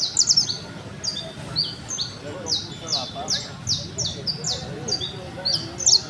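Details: Criollo canary of the trilling (trinador) singing style delivers a run of high, sharp, downward-sweeping notes, repeated quickly at two to three per second, with faint voices and low background rumble beneath.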